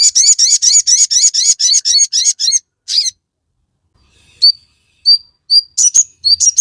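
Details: Crested jay in loud song, used to provoke a response from other birds: a rapid run of rasping, buzzy chirps, a pause, then isolated thin rising whistles and a few closing chirps.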